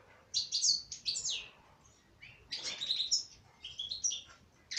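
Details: A female goldfinch sings liquid, tinkling twitters, two quick bursts early, then a longer run of buzzy and clear notes after a short gap, ending on a sharp high note.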